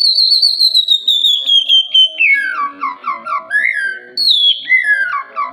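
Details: Oriental magpie-robin in full song, offered as a lure to get quiet birds chattering: one long descending whistle, a chain of quick bubbling notes, then another high whistle that drops away.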